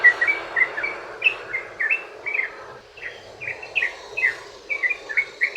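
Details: Sooty-headed bulbul delivering a long rapid ropel song meant to draw other bulbuls into answering: chattering bubbly phrases of short slurred notes, with a brief pause midway, against faint hiss.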